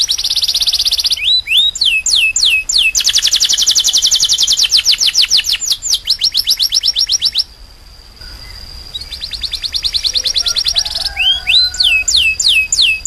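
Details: Canary in full song, alternating buzzy rapid trills with series of descending whistled sweeps; a steady thin high tone and a short quieter pause near the middle before the fast repeated notes resume.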